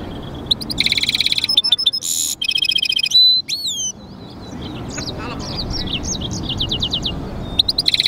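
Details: European goldfinch × canary hybrid (mule) singing: rapid rattling trills and harsh buzzy bursts, then clear whistled notes that slide downward, and a run of varied twittering phrases after a brief pause.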